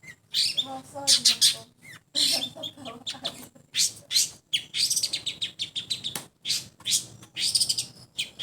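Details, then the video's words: Sound test of a long-tailed shrike: a long run of harsh, chattering high notes in dense rapid clusters, scratchy and buzzy, broken by short gaps, with some lower harmonic sounds early on. "Tes suara burung cendet/pentet"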